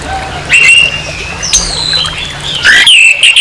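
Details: Harsh song of an orange-headed thrush, used as a lure to rouse aggression in another orange-headed thrush: loud sliding whistles and a long drawn note, then sharp rising and falling phrases over a steady low hum.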